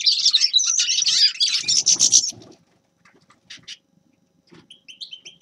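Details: Grey-crowned goldfinch song: a rapid burst of tinkling, twittering notes for about two seconds, then near silence broken by a few faint chirps and a short run of clear, slightly rising whistles at the end.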